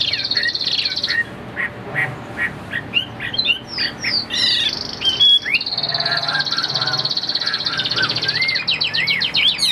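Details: Caged Chinese hwamei kept for sale, singing a loud, varied, high-pitched song of rich whistles, rapid trills and slurred sweeping notes, broken by a few harsher squawky phrases.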